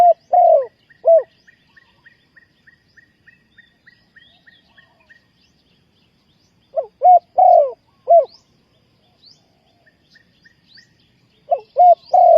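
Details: Spotted dove cooing as a decoy to attract wild doves for trapping. Its mid-pitched phrases end in a falling coo. Between phrases, another bird gives a run of quick, high, evenly spaced chips.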